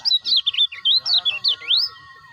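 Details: Stimulation audio of a lemon-bellied white-eye for caged birds: clipped high twittering phrases in short bursts, dipping and rising, with a final rising whistle fading into quiet.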